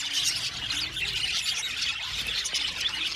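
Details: Budgerigar colony in an aviary, many birds chattering at once with bright chirps, squeals and scratchy squawks blending into continuous high twittering.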